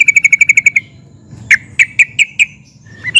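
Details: Sooty-headed bulbul in excited song with 'nguplik' and 'ngerol' styles, said to make other sooty-headed bulbuls answer: a rapid run of about nine sharp bright notes, a pause, then six louder spaced chips and a final rising note.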